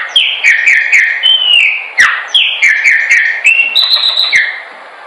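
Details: Chopi blackbird singing a training song: a rich, fast run of clear whistled phrases, mostly sliding down, about three per second, with crisp clicks between notes, ending on a long high steady whistle.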